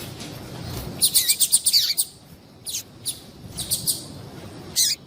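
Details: Female yellow-bellied seedeater calling to stimulate males: bursts of sharp, high chirps, a quick run of about eight notes, then scattered single and paired chirps, over a quiet background.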